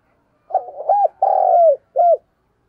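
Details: Spotted dove decoy bird cooing to lure wild doves: a low, hollow phrase of a short wavering note, a rounded coo, a long sustained coo falling at the end, then a short final coo, over a silent background.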